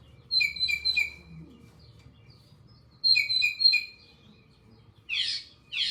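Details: Northern Mockingbird song, a mimic singing a long string of phrases, each tending to be repeated three or more times: a bright, chattering high phrase of quick notes given twice, then a different harsher, noisier burst repeated twice.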